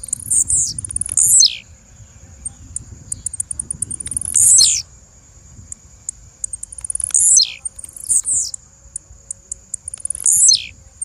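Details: Repeated calling by a female blue-black grassquit, five buzzy down-slurred notes at irregular gaps of about two to three seconds, each led by quick high ticks, against a constant high tone and low murmur.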